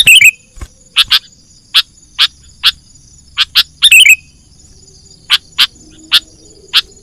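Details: Sooty-headed bulbul lure call used to attract wild birds for trapping: loud, sharp, chattering notes in short bursts, some doubled, spaced irregularly about half a second to a second apart, over a quiet background.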